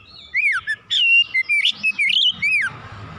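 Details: Oriental magpie-robin singing in an agitated, heated state with its full repertoire: loud, varied whistled phrases that slide up and down, short notes broken by brief pauses, with a steady faint hum in the background.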